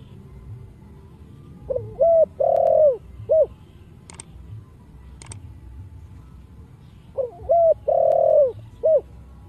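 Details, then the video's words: Spotted dove in the Thổ Sấm voice style, a lure call for other doves: two cooing phrases of short notes, a long falling coo and a brief final note, separated by quiet with two sharp clicks. "Cu gáy kích bổi nhanh nổi/Cu gáy giọng Thổ Sấm giọng cực hay kích bổi,mồi mau gáy"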